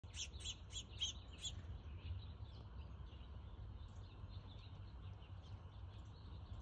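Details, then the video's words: House finch at a front-yard bird feeder in northwest Calgary, Alberta, on 31 August 2022 at 3:08 pm. A quick run of high, bright chirps in the first second and a half, then fainter twitters over a steady low outdoor rumble. "House Finch"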